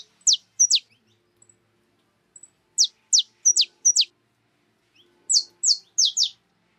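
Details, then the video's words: Free-living birds visiting a corn-grit feeder make bright, high chirps in clusters. A pair of falling notes comes first, faint ticks follow, then a run of four chirps, and after a gap a final burst of four. "Pássaros livres comendo quirera no meu comedouro"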